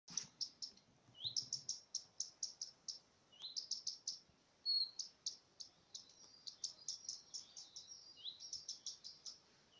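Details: Common redstart giving its alarm signal, chanced upon during recording. Rising whistled notes recur every few seconds, each followed by quick series of short, sharp high ticks, repeated steadily with no other sounds clear.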